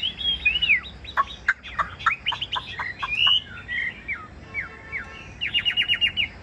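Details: A captive Chinese hwamei sings fluid whistles mixed with quick clipped notes, then closes with a fast run of about eight evenly repeated bright notes.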